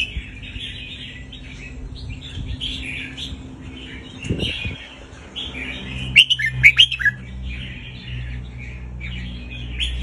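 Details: Red-whiskered bulbul, played so young birds can learn: after a low dull thump, one lively phrase of sharp, bouncing whistles rings out over a busy chorus of chattering birds.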